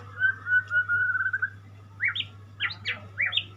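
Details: White-rumped shama, called murai, holding a long level whistle, then giving several short sharp upward-flicking notes spaced irregularly, with a low hum in the background.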